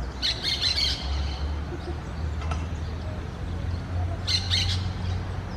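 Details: Orange-chinned parakeet with two short bursts of shrill, rapid squeaky chirps, one at the start and one after four seconds, against a strong low-pitched hum.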